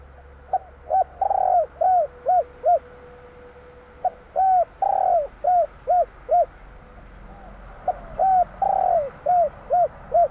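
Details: Spotted dove from Java repeating its 'kuk 3' song three times in about ten seconds, each phrase a pickup note, a rolling drawn-out coo and three short arched coos, with a steady low electrical hum beneath.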